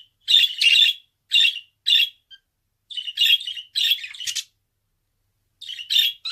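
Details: Budgerigar kept as a pet giving scratchy, warbling bursts and sharp chirps, in grouped phrases with a long pause before a final cluster.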